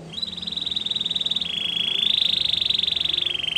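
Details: Russian canary singing a training song: a long, steady trilled roll held at one pitch, stepping down briefly midway and rising again, fast even pulses throughout.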